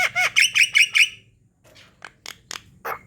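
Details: Javan myna in full song, used as a lure to get lazy birds singing: a rapid run of five harsh, nasal squawks, then sparse dry clicks and a final rasping note, over a low background hum.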